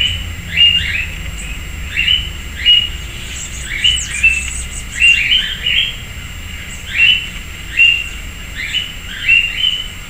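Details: Sayaca tanager visiting a fruiting persimmon tree in a backyard in Piracicaba, Brazil: repeated thin, squeaky rising chirps roughly every second, often paired, with brief high twittering from other birds and low rumble.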